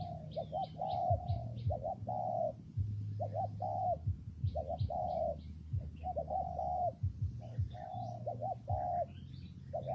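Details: In rainy, windy weather a spotted dove gives soft hollow coos in a repeating phrase of quick paired notes and a longer held note, with high chirps from other small birds and a steady low hum behind.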